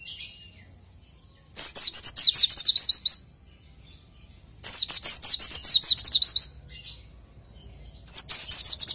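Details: Oriental white-eye training song: three bursts of rapid, high, chattering whistled notes, each slurring sharply downward, separated by short quiet gaps.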